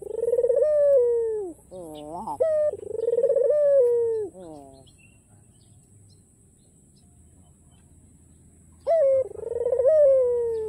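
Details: White ringneck dove with a black collar cooing persistently to invite rivals to call: two sequences of a short rising, rolling note and a long, wavering, slowly falling coo, then a pause of several seconds before the next coo begins.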